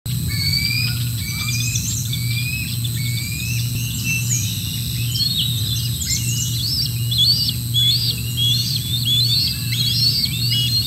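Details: Young bald eagles near the nest on 13 July 2024, during a parent's food drop and a ground scuffle between juveniles. Shrill, rising chittering notes repeat about every second, with steady low mechanical hum beneath.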